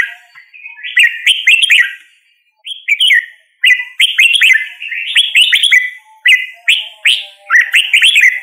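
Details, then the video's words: A red-whiskered bulbul sings short, bubbly phrases of rich warbled whistles, about one phrase per second with brief pauses, over a faint lower hum. "Red whiskered Bulbul Singing Call Sound"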